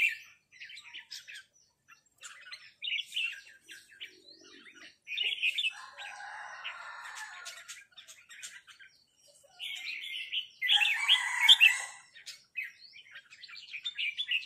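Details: Red-whiskered bulbuls exchange 'rik' calls with a resident territorial bird. Short clusters of sharp chirps are separated by pauses, with a loud, rich burst of chattering near the end and a softer, hoarse rustle in between.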